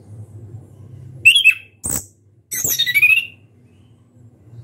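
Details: Orange-headed thrush singing loudly with open beak: two bursts of harsh, squawky phrases with whistled slurs, separated by a short gap, over low room hum.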